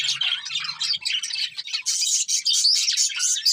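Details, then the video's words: Happy budgerigars singing as they eat: thick high warbling chatter with a few clear whistled upslurs toward the end and a faint low hum early on. "Happy Budgies Singing and Eating | Love Birds Chirping Sounds"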